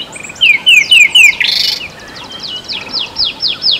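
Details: Rattling Cisticola (Cisticola chiniana) in breeding season, territorial and very vocal, South Africa: three sharp, down-slurred notes, then a dry buzzing rattle, followed by a quicker run of high descending chips.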